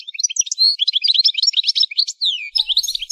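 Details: European goldfinch song for training caged songbirds, the singer described as a female: continuous fast, high twittering of liquid trills, slurred whistles and buzzy chirps, with a brief break near the end before the twittering resumes.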